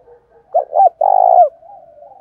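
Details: Decoy spotted dove used to lure wild doves, singing in the prized 'giọng thổ' voice style; a low, hollow cooing phrase of a short double note followed by a longer, slightly trembling coo, with soft faint cooing before and after.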